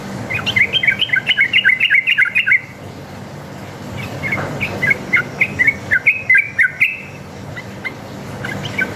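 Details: Sooty-headed bulbul in wild-style fighting song with long rapid phrases, used as a lure so other bulbuls answer: a dense run of bubbly whistled notes for two seconds, then scattered shorter phrases over faint background hiss.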